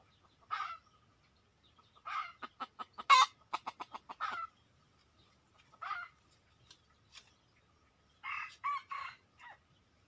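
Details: Wild red junglefowl coming to a decoy: scattered single clucks, then a quickening run of sharp staccato notes, and later a cluster of harsher rasping calls in a quiet setting.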